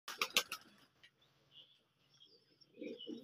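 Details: A hand-tamed pet pouter pigeon, a fancy pigeon breed, gives low, soft, throaty coos near the end, after a burst of sharp clattering and flapping noises at the start.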